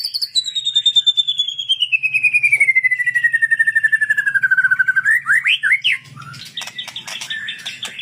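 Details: Sunda bulbul singing in the sambung cililin style: a long, slowly falling clear whistle lasting several seconds, then quick rising notes and a burst of sharp, varied chips and twitters.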